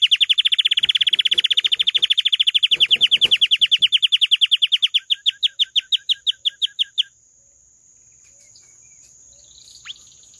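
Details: Canary song in a small room, a long fast trill of repeated downslurred notes lasting about seven seconds that slows and fades before stopping, with a few soft knocks early on and a steady high hum continuing afterward.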